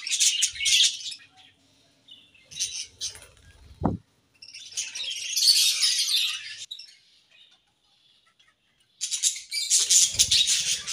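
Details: Pair of budgerigars in a morning aviary, heard in separate bursts of high, buzzy chatter with silent gaps between, a single low knock near the fourth second.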